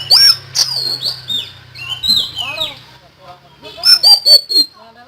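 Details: Common iora in full, energetic song: sharp high whistled notes and quick slurred phrases, bursts around half a second apart, with a faint low hum beneath.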